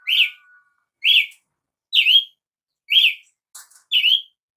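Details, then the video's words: Brazilian tanager giving loud, clipped notes that rise then fall, each about a second apart, with one short scratchy sound between the last two. "canto de Tiê sangue"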